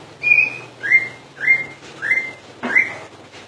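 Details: Common iora in continuous full song: five loud rising whistled notes, each sliding upward and ending in a flat tone, repeated about every 0.6 seconds with faint low hum behind.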